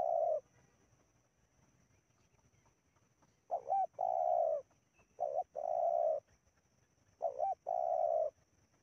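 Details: Spotted dove in Indonesia, recorded while wild doves are being lured: repeated phrases of a quick doubled coo then a long, mellow, level coo, each phrase about every two seconds after an early pause.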